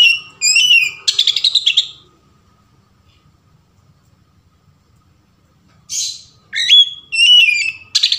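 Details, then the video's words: Varied 'ngeplong' song of an Oriental magpie-robin, used as a lure to trigger singing: chattering whistled phrases, then about four seconds of near silence, then sharp rising whistles and quick trilled notes. "SUARA KACER NGEPLONG VARIASI | PANCINGAN KACER"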